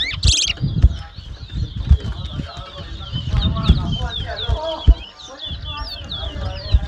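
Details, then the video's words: Chestnut-bellied seed finch, known locally as towa towa, whistling in a 2022 competition at Mahaica, Guyana; a sharp high burst opens, then a steady stream of quick slurred whistles continues beneath people talking and handling thumps. "TOWA TOWA BIRD WHISTLING COMPETITION"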